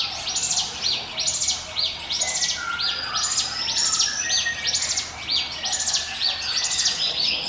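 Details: 'Ngiwit wit' song of a bar-winged prinia, meant as a lure for other birds: dense, high, buzzy arched chirps repeated about once a second, with faint lower whistles in the middle.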